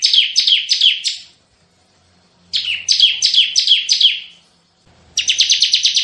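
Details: Bar-winged prinia delivering repeated 'tembakan' phrases, used to lure and tutor other songbirds: three bursts of sharp descending chirps, the last faster and tighter, with short quiet breaks and faint low background hum.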